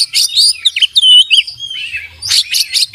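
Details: Kacer, the oriental magpie-robin, in full song rich with mimicked phrases: quick chirp clusters, then clear downward-slurred whistles, followed by a renewed burst of sharp, repeated high notes.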